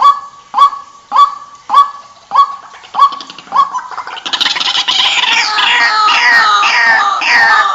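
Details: White-breasted waterhen: seven evenly repeated honking kwak notes that grow fainter, followed by an abrupt burst of loud, continuous, overlapping croaks and chatter.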